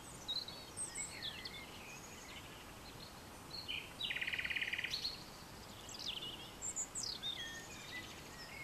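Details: Common nightingale singing at dusk in vegetation bordering farmland in France, 22 April 2020; varied high whistles and chirps, then a rapid buzzy pulsed phrase lasting about a second, followed by more sharp high notes over steady background hiss.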